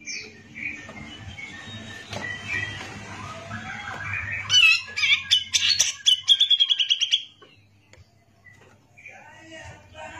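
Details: Cucak jenggot (grey-cheeked bulbul) in long gacor masteran song: soft rambling warbles over a steady low hum, then a loud burst of harsh chatter leading into a rapid even trill, followed by quiet scattered notes.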